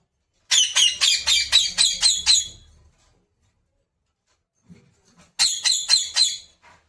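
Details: Pet parrot indoors, being coaxed to talk: a run of seven rapid, harsh, scratchy notes, a pause, then four more in the same clipped rhythm.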